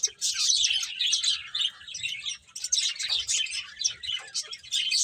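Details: A group of finches chirps while eating, thin high twitters pouring out densely at first, thinning briefly midway, then resuming.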